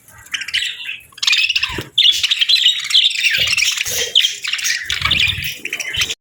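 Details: Parakeets on a cold winter morning at feeding time, chattering busily together: continuous high, scratchy warbles and quick chirps running almost without pause after a soft opening second, plus faint low knocking sounds.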